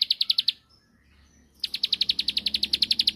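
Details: Ciblek sawah, the bar-winged prinia, in a provoking song aimed at a rival: a quick burst of high ticking notes, a second of near silence, then a renewed rapid train of dry clicks.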